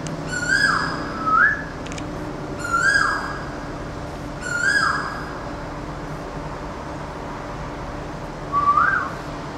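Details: A neighbourhood Asian koel gives loud whistled calls that rise sharply at the end. Four come spaced one to three seconds apart over a faint background hum.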